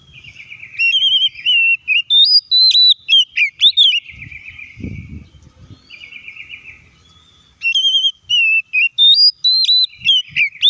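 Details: Oriental magpie-robin singing to provoke other magpie-robins into song. Two bursts of bright whistled phrases mix sweet slurred notes, sharp upward flicks and buzzy trilled runs, separated by a brief lull with a low thump.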